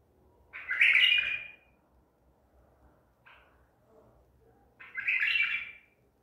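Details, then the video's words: Baghdadi tur White-eared bulbul, trapped at Medical City, recorded 14 April 2021, repeats a loud, chortling, melodic phrase twice, about four seconds apart, with a soft short chirp in between. "تغريد بلبل طور بغدادي"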